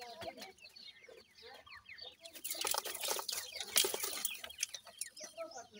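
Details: Grey francolin chicks (teetar) calling to their mother as she feeds them: a steady scatter of quick high chirps over low clucking notes, with a louder noisy rustle in the middle.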